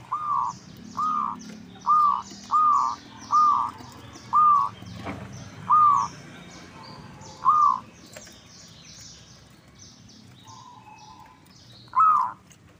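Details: Local zebra dove lure call: a run of short clipped coo notes at irregular spacing, a pause, a softer drawn-out note, then a final louder coo, with busy high-pitched chirping of small birds behind.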